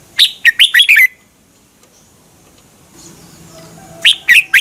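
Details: Red-whiskered bulbul song played to stir caged birds in Thailand: a brisk phrase of five sharp chirped notes with a falling tail, a quiet pause with soft background murmur, then three more loud chirps.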